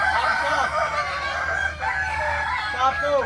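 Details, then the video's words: Several Kukuak Balenggek roosters crow together at a May 2024 practice contest in Ampang Kualo, Kota Solok, giving continuous layered crowing with rapid stepped syllables and a rising, then falling note near the end. "Latberan Ayam kukuak balenggek"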